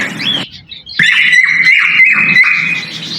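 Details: Male cockatiel whistling as a mating call during breeding: a short rising whistle, a brief pause, then a sharp onset into a long, loud, level whistled tone broken by small dips and flicks.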